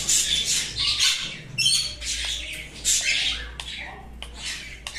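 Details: Sun conure squawking in loud, harsh bursts, some short and clipped, others drawn out, about one and a half per second and at an uneven pace. A faint low hum lies beneath.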